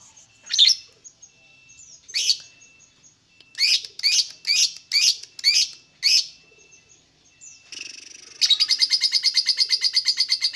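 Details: Lovebird song used to provoke other lovebirds into calling: scattered sharp high chirps, then a quick run of five similar notes, ending in a fast steady rattling trill of rapid repeated notes.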